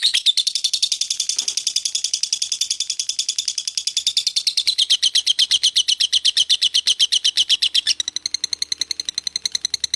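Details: Lovebird giving a long continuous ngekek chatter: rapid, buzzy high notes repeated about three times a second, dense at first, then breaking into cleaner, evenly spaced clicks near the end.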